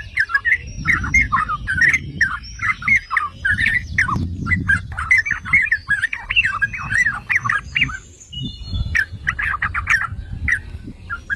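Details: Yellow-vented bulbul singing, played as a provoking lure for other bulbuls: busy, overlapping bursts of liquid chirps and squawky notes throughout, with intermittent low rumbling noise underneath.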